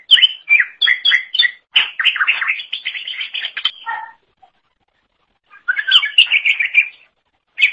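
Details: Cucak ijo (leafbird) singing actively, used as a tutor recording for training songbirds: rapid, varied chattering whistles in dense bursts, a pause near four seconds, then another fast jumbled run of sharp notes.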